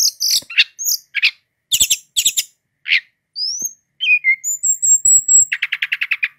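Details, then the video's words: Brown-chested jungle flycatcher from Indonesia pouring out nonstop song: scattered chips and rasps, a rising whistle, a long steady high whistle, ending in a fast, evenly spaced rattle. "Sikatan Rimba Dada Coklat Gacor - Ngeroll Tiada Henti"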